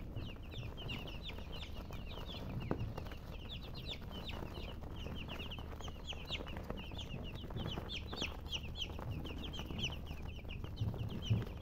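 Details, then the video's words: A crowd of baby chicks keeps up a continuous chatter of high, slurred peeps, rising and falling in density, with a steady low drone and a few soft knocks. "MURGI Baby "Chicks Chirping" Sound"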